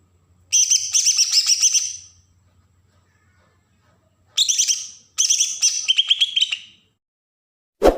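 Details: Bornean green leafbird from Berau, Kalimantan, giving an agitated song used to provoke other birds: loud, harsh, buzzy bursts of rapid high notes around 1.5 seconds long, separated by silences, with a faint low hum.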